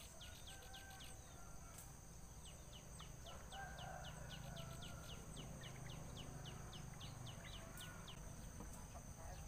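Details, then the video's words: Three nestlings with white eyebrows in a nest, waiting for their mother to bring food: rapid runs of thin, high, down-slurred chirps, several per second, with a short pause mid-run, over a steady low rumble. "BABY BIRD WITH WHITE EYEBROWS, THE THREE OF THEM ARE WAITING TO RECEIVE FOOD FROM THEIR MOTHER"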